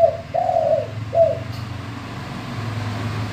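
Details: Spotted dove, a male gembur or bongor-voiced bird, cooing as a lure so other doves join in: three low hooting coos, the middle one longest, steady then falling, over a low background hum.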